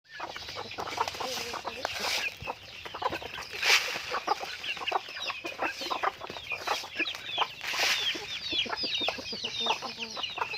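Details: Farm-raised chickens clucking busily: rapid short clucks mixed with high, thin upward chirps, continuous throughout with a few louder notes.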